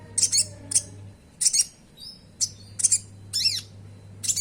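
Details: Konin, the common iora, sung as a lure to make caged birds start singing: harsh, buzzy high chirps in paired bursts, repeated about every half second, with one rising-and-falling whistled note.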